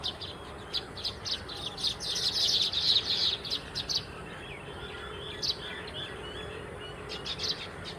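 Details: Baya weaver flock: dense, slightly buzzy chatter swelling in the middle into a loud overlapping chorus of high chirps, then thinning to separate short tweets, over soft background hiss.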